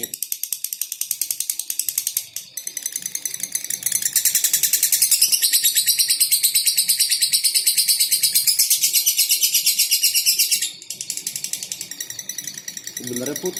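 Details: Unbroken lovebird song: a long run of shrill, buzzy chirps repeated about three times a second, swelling louder in the middle stretch and dipping briefly twice.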